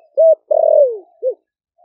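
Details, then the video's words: Spotted dove, a caged wild-caught bird of four months from Ninh Thuận, Vietnam, cooing in the 'thổ đặc' or thổ sấm voice to lure wild doves: a held low coo, then a long slurred downward croo and a brief final note. "Cu gáy kích bổi nhanh nổi GIỌNG THỔ ĐẶC ( THỔ SẤM )gáy gọi bổi về"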